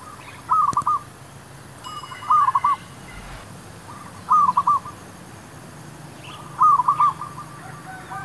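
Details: Zebra dove calling while wild doves are being lured for trapping: four even phrases of fast staccato coos, roughly every two seconds, each a quick stuttered run ending in a short trill, with faint background hiss.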